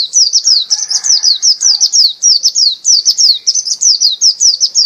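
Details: Dakun Bali white-eye, a champion singer in vigorous voice, delivering a nonstop chain of rapid, high, sharply falling whistled notes, roughly three per second, with a faint lower chatter in the background.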